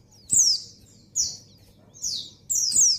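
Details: Female white-eye in breeding condition calls to the male with bright, high descending chirps, four notes in quick succession, the last doubled, over a quiet low hum.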